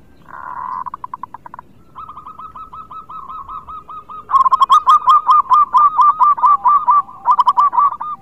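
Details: Local Indonesian zebra dove (perkutut) in full gacor singing, used as a lure for birds reluctant to sing: a soft buzzy trill, then a long run of rapid, evenly repeated staccato coos that grow louder and become bouncing, looped notes.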